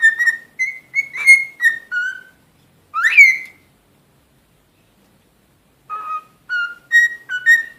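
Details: Cockatiel, a pet talking parrot, whistling a melody of short clear notes, including one bright upward-swooping note, then a few seconds of quiet before another run of evenly spaced whistled notes.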